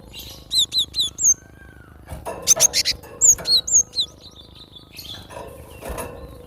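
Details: Cinereous tit in full song in the wild: rhythmic, high, descending two-part whistles repeated four times, a noisy burst, then another run of similar notes and softer twittering.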